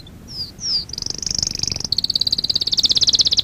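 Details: Canary song for training: two high slurred whistles, then a long, fast, evenly pulsed high trill growing louder toward the end.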